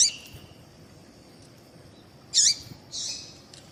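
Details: Female double-collared seedeater call used to prompt males to sing; after a quiet stretch, a harsh high chirp followed by a softer buzzy note, with a faint constant high tone throughout.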